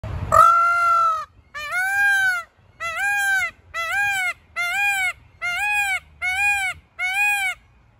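A peacock gives a loud, nasal, trumpeting wail, then six shorter arched cries in quick succession, about one per second, with no other sounds.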